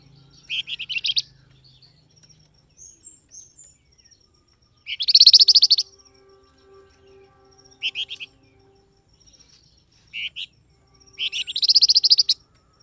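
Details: Flamboyan bird call used to draw replies from wild birds: separated bursts of rapid, harsh, high chattering. Loud buzzy rattles come about every five seconds, with short chip notes between them.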